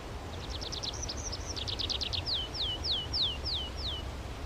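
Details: Bird song: a quick run of rising and falling chirps, then six clear, down-slurred whistles repeated about every half second, over a steady low rumble of background noise.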